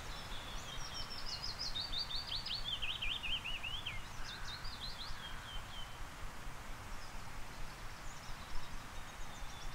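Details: A Willow Warbler singing just outside a photography blind in a Norwegian forest in warm early summer: a soft, sweet phrase sliding down the scale, then a second, shorter phrase, over a steady low rumble.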